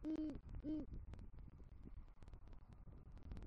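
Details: Great horned owl at its Southwest Florida nest tree at night, the male arriving with a rodent and calling to the female; two deep, steady hoots open the recording, followed by rustling and clicks.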